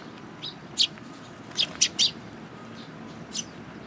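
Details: Young sparrows coming for food at Tenmangū shrine on 18 May 2021: short, sharp, high chirps, single and in a quick cluster of three, spaced irregularly over a quiet background hiss.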